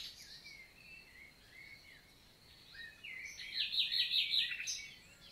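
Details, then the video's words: Summer daytime song of a common nightingale in forest near the Célé river, Lot: soft slurred whistles for three seconds, then a loud burst of rapid repeated notes, with other birds distant. "NIGHTINGALE MORNING SONG"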